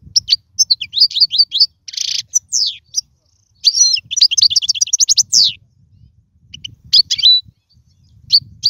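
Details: European goldfinch song offered for teaching young birds to sing: fast bursts of high twittering chirps and buzzy slurred notes, broken by short pauses, over a faint low rumble.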